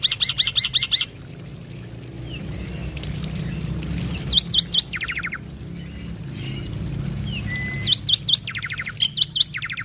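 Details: Male black-winged starling in full song, played as a lure to get other starlings singing: bursts of sharp, hooked whistles alternate with harsh, buzzy rattles, in loud clusters at the start, middle and end, with a steady low rumble beneath.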